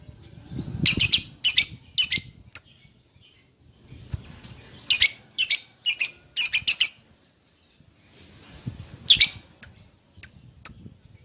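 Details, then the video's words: Lovebird calling its companion: clusters of shrill, scratchy squawks in short bouts separated by pauses, with soft low rustling beneath and a few thin high chirps near the end. "suara lovebird memanggil temennya | pancingan lovebird memanggil lawan"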